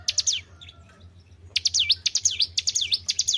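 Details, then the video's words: Captive-kept white-browed shortwing singing vigorously: a short burst of sharp whistles, a one-second pause, then a quick run of swooping down-up whistled notes; constant low hum behind. "GACOR IDOLA PARA SUHUU..BURUNG CIBLEK GUNUNG"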